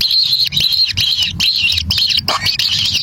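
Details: Kingfisher chicks begging as their parent feeds them a black lizard at the wild nest. Buzzy, wavering, high calls come in bursts roughly every half second, over a low rumbling background.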